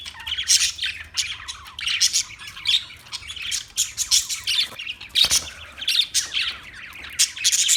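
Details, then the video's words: Parakeet chirping in quick, uneven bursts of shrill, scratchy chirps and short squawks, several per second, with one sharp click partway through and low background hum. "Birds Parakeet Sounds Parrot Chirping Sounds"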